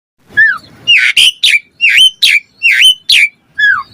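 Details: Asian pied starling in full vigorous song, used as a lure to rouse reluctant starlings; a sequence of loud, clear whistled notes, some dipping and some rising-falling, about seven bursts in four seconds.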